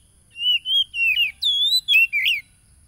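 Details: Provoking song of an Oriental magpie-robin for caged-bird therapy, phone-recorded on a Saturday in East Lampung, Indonesia: a string of rich, fluting whistles, one higher steady note in the middle, ending in a twisting upward slur.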